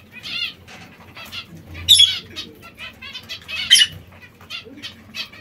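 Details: Zebra finches pecking seeds and fresh salad give scattered short nasal calls, a few per second, with two loud rasping bursts of rustling or wing noise and a soft low hum behind.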